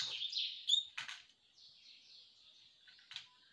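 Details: Canary song: a high, dense buzzy trill that runs almost unbroken for more than three seconds, with brief brighter chirps early and soft clicks scattered through it.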